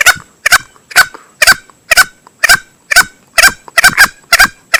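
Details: Hunting lure sound of a male green junglefowl: a continuous run of harsh, clucking single notes about every half second, now and then doubled.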